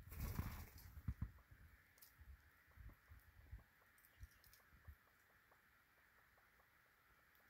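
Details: Ruffed grouse (Bonasa umbellus) male drumming display, wing-beating, often from a stump or log, in poplar forest, Saskatchewan: deep, muffled thumps that come closer together, then fade; faint steady hum and a few high ticks behind.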